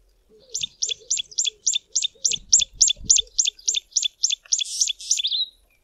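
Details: Tawny-flanked prinia calling from bushes near a stream: a steady series of about sixteen sharp, high notes, roughly three and a half per second, ending in a brief buzzy flourish. A quieter low chirping sounds in the background.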